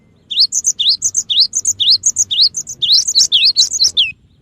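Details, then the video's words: Cinereous tit, for luring birds and prompting quiet birds to sing: regular rising whistled phrases about twice per second, becoming denser and more tangled near the end. "suara pikat Burung gelatik batu gacor dan cocok juga buat pancingan gelatik batu yg susah bunyi"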